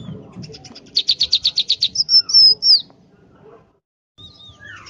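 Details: Tame, very vocal scaly-breasted munia singing: a rapid run of about ten clipped high notes, then thin whistled slurs, a short pause and a few soft descending notes.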